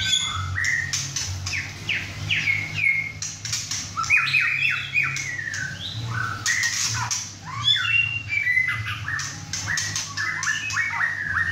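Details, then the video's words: Young caged male White-rumped shama, six and a half months old and just through his first moult, singing hard at home beside two other birds: loud rising and falling whistles and squawky notes over a steady low hum. "White rumped Shama – "Imagine" whacking hard"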